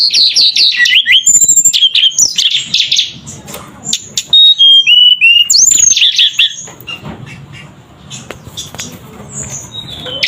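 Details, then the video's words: Energetic Javan sunbird song of quick falling twittered notes and bright chirps, thin whistles stepping downward, then quieter scattered high tweets over a low background murmur. "Suara Burung Tledekan Gacor"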